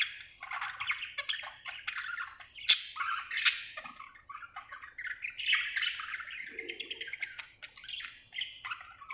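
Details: Budgerigar chirping happily with a steady, buzzy warble, sharp clicks and squeaks scattered through it, and a soft lower murmur near the end.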